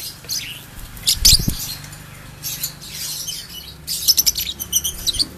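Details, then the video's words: Ombyokan lovebird, a bird of unknown lineage kept at home, sings its ngekek: short bursts of shrill, high chattering chirps around one second and again near four to five seconds, with quiet background hiss between. "Lovebird Ombyokan Ngekek Panjang"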